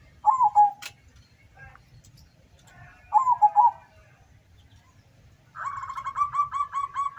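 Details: Local zebra dove at a singing contest in Suruh, Semarang, Central Java, Indonesia: two falling cooed phrases with a warbled end, about three seconds apart, followed by another bird's rapid repeated notes.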